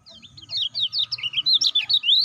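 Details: Caged lemon-bellied white-eye call meant to stimulate other birds: quick series of high, sharp, slurred chirps growing louder, with low rumbling background noise.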